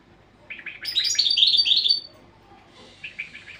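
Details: European goldfinch singing a training song: after brief low chirps, a bright, fast, high-pitched twittering run lasting over a second, then a pause and softer repeated twitters.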